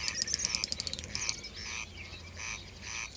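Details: Great Snipe at its lek, displaying at dusk. Rapid dry clicking ticks run in quick series, followed by softer repeated bubbling bursts. The bird sounds fairly distant, against a hissy background.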